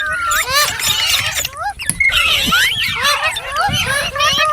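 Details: Steady chatter from a talking ringneck parrot: dense overlapping upslurred and downslurred whistles mixed with raspy, speech-like syllables, with a faint low rumble beneath.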